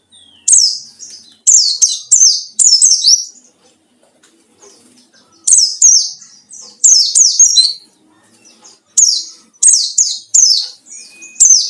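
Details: White-eye singing in wild style as a lure to draw out rivals: three bursts of rapid, high, downward-slurring notes separated by quiet gaps, with faint soft twitters between.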